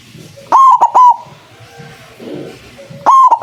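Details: Strong white zebra dove coos used as bait for wild doves: a three-note phrase, a ringing long note and two short ones, then a second phrase starting about 2.5 seconds later, over faint hum.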